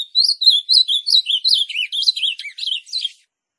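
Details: Ultramarine grosbeak (azulão) song, used to stimulate an azulão to sing: a rapid, continuous run of warbled, up-and-down notes, about three per second, ending abruptly after three seconds; clean, with no other sounds.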